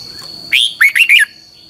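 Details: One brisk phrase of red-whiskered bulbul training song, double-twisted style: a bright rising first note followed by three tight, twisting whistled notes. A faint steady whine runs throughout.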